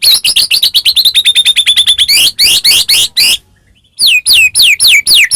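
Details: White-rumped shama song used to provoke a caged bird into singing: rapid bursts of high buzzy notes repeated about three per second, a brief pause, then loud downward-sweeping whistles.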